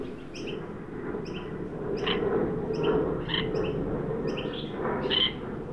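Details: Adult and juvenile Australian magpies visit a newly set-out backyard birdbath in Sydney on 9 December 2023, a 43 °C heat wave day. Rough, buzzy calls rise and fall over a steady, fast two-note chirping of another bird.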